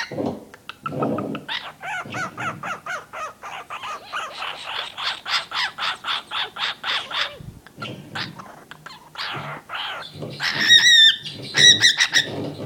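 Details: Pet cockatiel, angry at a squeaking wooden toy, gives a fast machine-gun run of harsh, raspy screeches, about four each second, then thin squeaky whistles.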